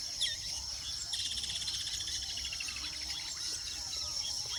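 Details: Weaver birds at their nests in the wild, giving a busy stream of high, buzzy chirps and rapid rattling notes in overlapping bursts, over a steady shrill insect drone.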